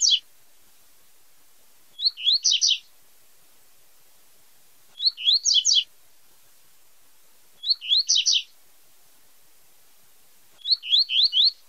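Double-collared Seedeater giving short bursts of quick, high, slurred notes, each phrase under a second, repeated about every three seconds against a quiet background.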